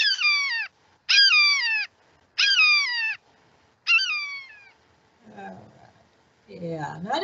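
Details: A Red-shouldered Hawk, a noisy local bird of wooded areas around Santa Barbara, gives four loud, clear, down-slurred 'kee-ah' screams about a second apart, followed by a man speaking.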